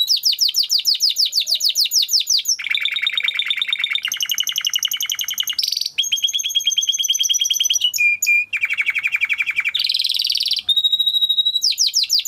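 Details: Timbrado canary in full song, played to train other canaries: nonstop rapid trills and rolls that switch tempo and pitch every second or two, mixing high whistled tours with lower rattling passages.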